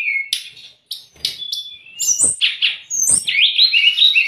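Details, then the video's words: Brown-chested jungle flycatcher song meant to coax kept birds into singing: a short whistle, a few sharp clicks, then high slurred whistles flowing into a quick warbled sequence. "MASTERAN DAN PANCINGAN SRDC PALING DI CARI TERBUKTI AMPUH.....untuk srdc bahan maupun srdc stres"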